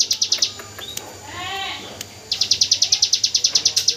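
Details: Hill prinia 'AK47 gunfire' song, used as training audio for white-rumped shamas; a short burst of sharp, high notes, a break filled by a wavering lower bleat-like sound, then the fast rattle returns.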